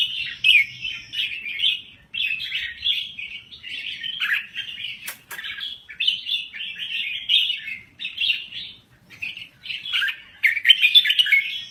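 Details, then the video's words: Red-whiskered bulbul of Thai origin in sustained song: repeated bursts of quick, bright warbling chatter with brief breaks, and a single sharp click midway. "Kicau Burung Merbah Jambul Gacor"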